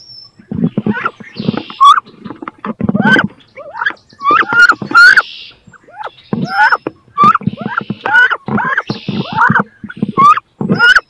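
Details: Two female wood ducks battle over a nest box where both want to lay and incubate, giving repeated rising squealing whistles amid thumps, scuffling and sharp knocks.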